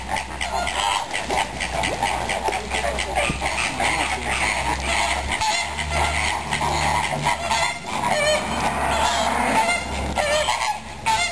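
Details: Greater flamingos kept at Zoo Vienna, recorded October 6, 2010, give loud, nasal, goose-like honks in rapid repeated bursts from many birds at once, building toward the end over a low background rumble.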